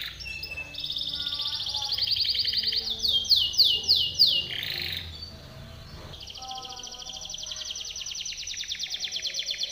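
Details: Timbrado canary training song: rolling trills, a run of sharp downswept notes, a brief pause, then a long even high trill continuing to the end.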